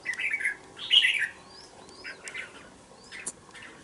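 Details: Caged young red-whiskered bulbul, two months old, in a bổi cage: two quick warbled phrases open the recording, then sparse soft chirps and thin rising whistles trail off.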